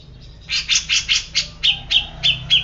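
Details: Grey-cheeked bulbul giving a quick run of nine notes: the first five broad and scratchy, the last four clearer, whistled and evenly spaced. A faint low hum sits underneath.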